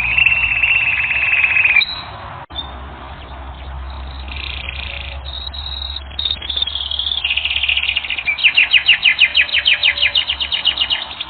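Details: Canary song from a training recording: a bright rapid trill, then a softer, patchy stretch of buzzy rolls, ending in fast pulsed trills repeated several times a second, over a faint low hum.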